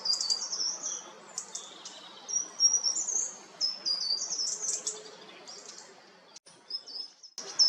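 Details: Short-toed treecreeper in coastal woodland at Taramancos beach, Ría de Noia: a run of very high, thin, piercing notes, short slurred tsee phrases repeated irregularly over a soft background hiss.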